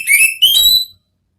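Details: Orange-headed thrush in ngeplong style, played as therapy to lure a thrush into answering: a pair of loud whistled notes, the second slightly higher and longer, ending cleanly.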